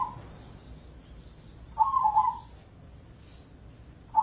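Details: Zebra dove of the crossing strain, a caged contest singer, in lure song: a brief burst of rapid, soft stuttering coos in mid-pitch, with fragments of further coos at the start and end and low background noise.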